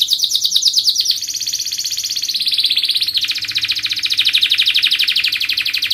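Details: Canary in strong singing form, a lure song for other birds: a long, continuous, very fast high trill with shifting pitch, pulsing rapidly and evenly throughout without a break.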